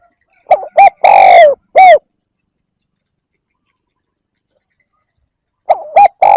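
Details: Decoy call of a spotted dove meant to attract wild doves: a phrase of two short coos, a long rough coo and a drooping end note, then nearly four seconds of silence before a new phrase begins.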